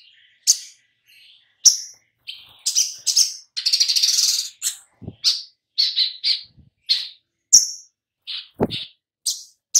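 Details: Sogok ontong, a lure to set birds singing: a busy sequence of high, sharp chirps and short buzzes, with one longer rasping trill, delivered in quick irregular bursts.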